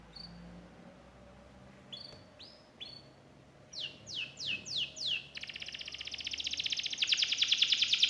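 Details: Canary song starting with scattered soft rising whistles amid background hum, then loud descending sweeps and a fast, steadily louder trill.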